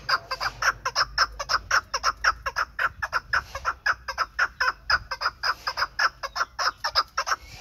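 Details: Chukar partridge from the Pamirs, a bird kept for hunting, calling in an unbroken run of harsh, clipped chuck notes, roughly two per second, even in loudness and spacing, in a quiet setting.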